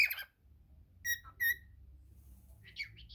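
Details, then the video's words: Cockatiel gives a few short whistled notes and a rising warble over steady low background rumble. "Calopsita cantando ❤ cockatiel singing"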